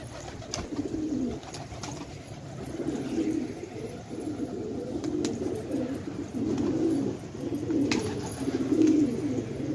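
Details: Fighting pigeons kept in an Afghan village at Khan Abad coo in rising and falling throaty phrases, several birds overlapping, roughly every two seconds, over a soft background hum.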